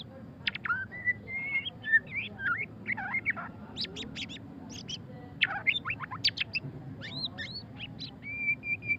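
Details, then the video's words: Varied white-rumped shama song in ngeriwik style: fluid whistled phrases mixed with quick chattering chips and upward-sweeping notes, ending on a sustained whistle, with a low hum underneath. "suara kicauan burung murai batu pastol ngeriwik - white-rumped shama"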